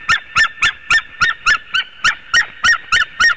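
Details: At a nest in Latvia, a white-tailed eagle watched by a webcam gives about thirteen loud, clipped yelps in quick, even succession, each note bright and harmonic-rich.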